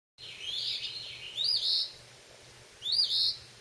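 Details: A phoebe fledgling, up under a porch roof catching bugs on May 21, gives high, scratchy, buzzy calls, each a slurred note then a harsher burst, repeating about every second and a half over a faint low hum.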